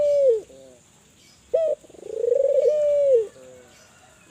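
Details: Calling spotted dove, Kelantan bird, played to prompt other doves into calling; low mellow coos, a brief clipped opening note then a drawn-out, buzzy-edged rolling coo ending in a falling tail and fainter lower notes.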